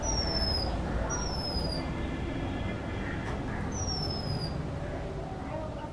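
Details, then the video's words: Oriental magpie-robin, a female, singing in a West Bengal backyard, India: a series of high, thin descending whistled notes spaced about a second apart, with a faint warbling phrase in the middle, set against steady low traffic noise. "[Bird Calls] Oriental Magpie Robin"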